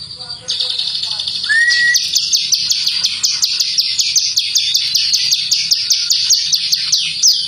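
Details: Bar-winged prinia song used as a lure to make birds sing: a fast, high, buzzy chattering trill of rapid repeated notes, with one short rising whistle near the start.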